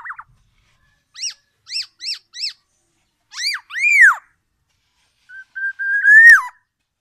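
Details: Tame, very vocal Black-naped Oriole with a loud, distinctive song: short chevron-shaped notes in spaced pairs, then a ringing arched whistle and a long steady whistle that swells and drops at the end. The background is quiet.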